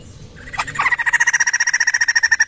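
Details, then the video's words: Laughingthrush (poksay) answering straight away to a played call used as a lure: after a brief scratchy start, a fast, even series of clear mid-pitched notes, about twelve a second, over light background noise. "burung Poksay langsung nyaut"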